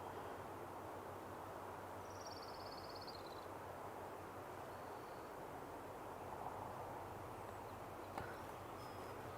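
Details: A bald eagle, identified as "pretty sure," calls at an estuary in spring breeding season with a thin, high, rapid chittering series sliding slightly downward over about a second and a half, over steady wind and distant traffic rumble.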